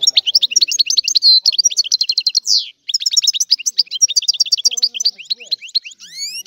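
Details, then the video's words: European goldfinch of Sicilian stock giving an old-style song meant to stimulate other goldfinches: a continuous rapid, liquid twitter with a brief pause midway. It ends in a few clear, upward-sliding whistles. "Canto del Cardellino | Richiamo"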